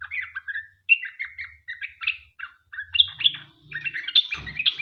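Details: Sooty-headed bulbul singing a lively song used to lure others into singing: short slurred whistles and chirps in quick phrases, becoming denser and higher toward the end, with some low background hum.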